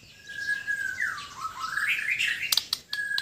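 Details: White-rumped shama from Sabah, Borneo, singing in a relaxed mood: a long, steady whistle that slides up through a twisting, warbled phrase, then sharp clicking notes and a final clear, level whistle.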